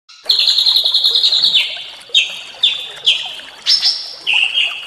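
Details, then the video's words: Small songbirds on a training recording meant to stimulate a white-rumped shama into singing, set in natural surroundings: a long high steady trill drops in pitch, then four sharp descending chirps spaced under a second apart, with a final trill. "masteran burung kecil"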